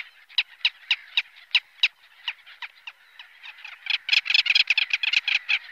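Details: Little Gull (Hydrocoloeus minutus) calls: short, nasal 'kek' notes about four a second, then more birds join in a dense, overlapping chatter.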